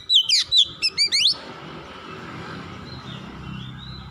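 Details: Kacer, the oriental magpie-robin, in a lure recording meant to make quiet birds sing: a short burst of sharp, rapid chirping notes, followed by steady background hiss and faint distant whistles.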